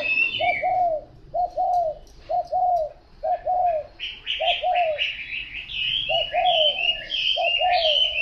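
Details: Spotted dove cooing in a regular series of low two-note phrases, a short note then a drawn-out falling one, joined in the second half by bright, busy chirping from a smaller bird.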